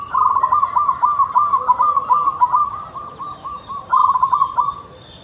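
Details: Zebra dove of a local type, singing actively: a continuous run of quick, staccato, bubbling coos that pulse rapidly for about five seconds, swelling again near the end before fading.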